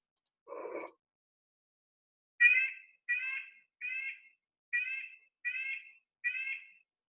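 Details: Red-breasted Nuthatch, a year-round resident of the fir-dense forests of the Lake Tahoe region, Sierra Nevada, giving six nasal, tinny 'yank' notes likened to a car alarm, about one every 0.7 seconds, after a brief low rustling thump.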